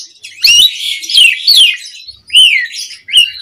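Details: Asian pied starling song used as a calling lure for other birds: dense buzzy warbling with downslurred whistles, a brief pause, then two short sharp slurred notes.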